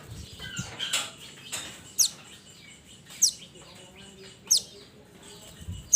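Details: Minivet of the mountains calling its companions, giving high, sharp, falling notes roughly every second against a rustling, noisy background.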